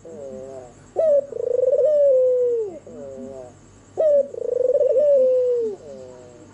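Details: Albino, red-eyed white turtle dove singing after dark: two phrases, each a bright sharp note and a long trembling coo sliding down, separated by softer wavering notes, with a faint constant hum.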